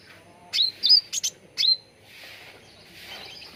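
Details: Sooty-headed bulbul (cucak ranting) in a lure and training recording meant to make birds sing actively: a few sharp whistled notes near the top of its range, two quick paired chirps and a falling whistle, then faint background hiss.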